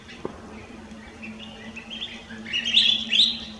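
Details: Collared finchbill recorded at Lugu in December 2022, giving soft warbled chirps that build into a louder, rapid twittering burst near the end over a faint constant hum.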